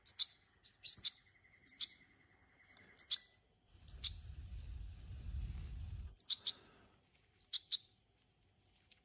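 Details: Hand-reared European goldfinches utter crisp, high, clipped chirps in small clusters, with a stretch of low rustling or handling noise in the middle.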